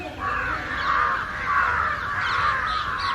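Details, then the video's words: Several house crows caw loudly and harshly against something in a tree, calling constantly for over an hour, overlapping in a continuous nasal clamour of about one and a half caws per second. "Crow Cawing loud - United Crows Flying & Crowing against someone"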